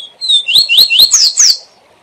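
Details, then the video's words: SIL SIL ZEL ZEL song of a caged double-collared seedeater tutor bird, sung so learners copy it: loud, quick series of upward-sweeping whistled notes, roughly six within a second and a half, ending on higher slurred notes. "Canto SIL SIL ZEL ZEL - Encarte e Manejo de Coleiros - Coleiro Professor Aprendizado"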